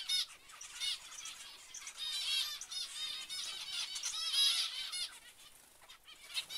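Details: Zebra finches calling together, a continuous mix of short nasal honks peaking around two and four seconds before fading near the end.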